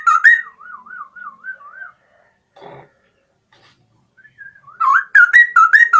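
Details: A straw-headed bulbul sings energetically in the morning. A loud, rippling whistled phrase trails into an undulating trill, and a brief rustle follows. After soft whistles, a loud series of rich, slurred notes comes again.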